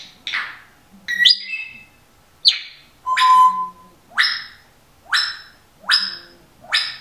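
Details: Female Timneh African grey kept as a pet, taped at home talking while a singer's recordings play and a dog snores; loud harsh squawks repeated roughly every second, mixed with a few whistled notes and a steady mid-pitched whistle.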